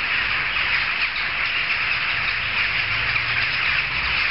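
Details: Crowd of jackdaws at a gathering, audible streets away; harsh, croaking calls from many birds pile on top of one another in a continuous, clamorous chorus.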